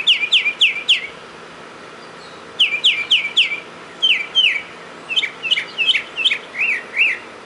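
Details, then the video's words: A mockingbird outside a door on 31 March 2010 delivers groups of three or four downslurred notes separated by short pauses, ending with wavering, warbled whistles. "Listen To The Mockingbird"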